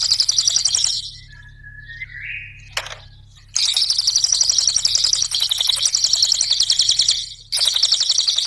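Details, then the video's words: Cililin song used as a training and lure recording: long, dense, fast buzzy high trills with rapid ticking notes, broken by a short rising whistled phrase and a sharp click before the trilling resumes. "Mp3 suara Cililin RAPAT GACORNYA,pancingan cililin"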